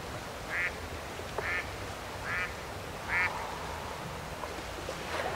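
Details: Mallard at Roshchino, Leningrad Oblast, Russia, 23 September 2020, giving a run of four short quacks under a second apart, then quiet with faint background noise.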